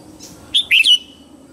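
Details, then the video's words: Red-whiskered bulbul in morning song, played to train birds: one short loud phrase of three bright whistled notes, the last slurring downward and trailing off. "Luyện giọng chào mào hót sáng hay nhất để luyện má trắng"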